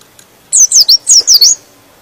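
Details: A short white-eye (pleci) phrase meant to excite other birds into song: five rapid, thin, sliding chirps delivered in about one second.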